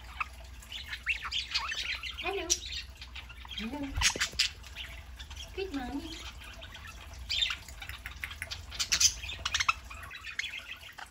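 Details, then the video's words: Pet parakeets on a Saturday morning, several birds kept together: scattered harsh squawks and rising chirps over a steady low hum, with a louder burst near four seconds and softer chatter through the rest. "Parakeets Saturday morning"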